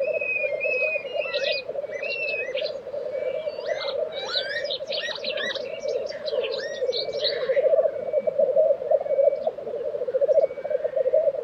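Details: Black grouse at their April 2023 lek in Tiveden, Sweden, keep up a low rolling bubbling drone, while other birds add lively twittering and whistled phrases, most thickly in the first half.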